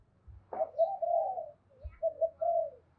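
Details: Spotted dove lure call, fighting call in the thổ pha voice. The clip is quieter and rougher, with a sharp onset and a series of wavering coos over a low background hum and a couple of thumps.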